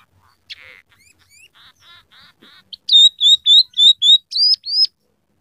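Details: Scaly-breasted munia in full song, its repertoire stocked with rough canary phrases plus house sparrow and red siskin sounds; a burst, soft buzzy notes repeated five times, then a string of loud, pure whistles rising at the close.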